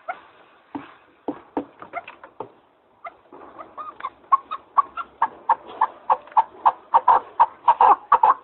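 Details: Partridge call beginning with scattered, uneven clucks, then building into a fast, loud, rhythmic series of harsh chuck notes that grows steadily stronger toward the end.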